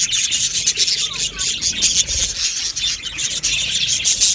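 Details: Australian budgerigars in a colony aviary keep up a dense, raspy, high chatter of overlapping chirps and warbles, with faint lower whistled notes mixed in.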